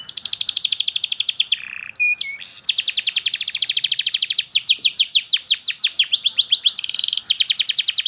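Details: Canary lure song used to teach young canaries and stimulate silent ones: long rapid trill of sharp repeated chip notes, briefly broken by a pause and a low whistle, then faster descending sweeps.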